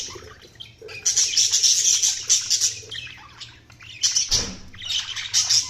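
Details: Several budgerigars chirping in dense, rapid high-pitched chatter, near-continuous twittering with a short dip and a soft thump midway before the chatter resumes.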